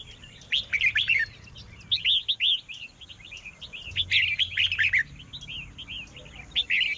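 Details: Red-whiskered bulbul in a singing contest, clusters of quick warbling whistled notes, some rising sharply, delivered in several bursts separated by short pauses, over a faint constant high-pitched hum.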